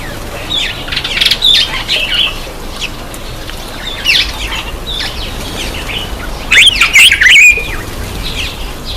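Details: Bathing black-eyed bulbul: scattered chattering chirps early on, a quieter middle stretch, then a loud cluster of sharp, twisting squeaky notes near the end.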